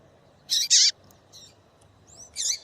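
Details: Female double-collared seedeater calling to make a male sing: two loud, harsh high chips in quick succession, then softer notes and a final buzzy chip, against a quiet steady background.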